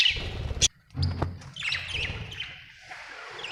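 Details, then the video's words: Budgerigar, an Australian bird, chirping: short high warbled and wavering notes, several quick chirps in a row over a low background rumble, with a brief sharp click near the start. "Australian beautiful birds sound 😍 budgie chirping sound 🥰"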